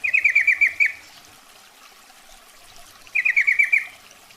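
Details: Female sooty-headed bulbul calling the male, played as a trapping lure: two bursts of six or seven quick, slightly descending chattering notes, the second following about two seconds after the first, over quiet background.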